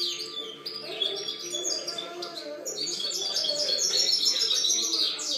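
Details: A European goldfinch sings in 2013, giving a continuous stream of sparkling high twitters, quick trills and buzzy notes that grow louder toward the end.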